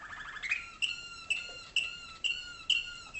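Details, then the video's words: Waterslager (malinois) canary fathers and tutors singing to 2011 young birds hatched in North Canton, Ohio, USA, kept in training cages in a darkened room; clear whistled notes repeated roughly every half second, bright and ringing. "waterslager canary"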